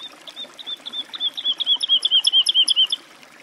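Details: Woodlark song: a long phrase of about twenty clear, liquid whistled notes that speed up and grow louder, each slightly lower than the last, with faint background hiss.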